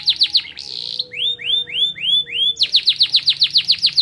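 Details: Canary song with pleci (white-eye) material, played to raise emotion in birds: fast falling chips, a brief buzz, and five rich upward-arching whistles. It finishes with a long, even run of rapid descending notes.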